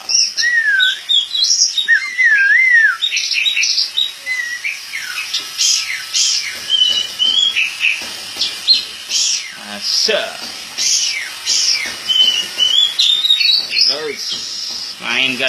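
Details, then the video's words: Caged white-bellied shama (kacer poci), a national champion, singing during the 2017 Bupati Cup songbird contest: wavering, looping whistles and rising slurs that give way to rapid varied chirps, with a dense chorus of other birds. "Burung Kacer Poci Juara Nasional Bupati Cup 2017"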